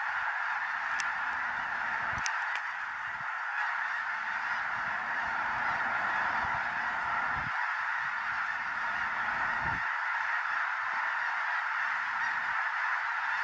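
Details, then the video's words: Large gathering of snow geese on 5 February 2015, heard as an unbroken wall of overlapping nasal calls holding steady throughout, with occasional brief low knocks and clicks. "Snow Geese III"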